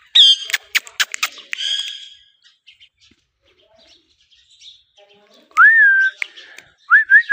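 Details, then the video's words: Pet talking ringneck from India: a burst of clicks and a buzzy harmonic note, a quiet pause, then clear looping whistles rising and dipping, repeated twice. "Best talking parrot in India || green parrot natural sound || amazing talking parrot"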